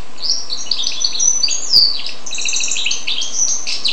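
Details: Goldfinch x canary cross warbling a dense, fast run of high chirps, twitters and short trilled notes, unbroken for the whole four seconds.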